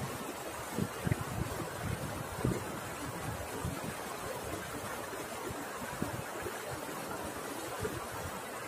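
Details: Steady wind and water noise, possibly from a boat, with scattered low thumps and rustles and no animal calls.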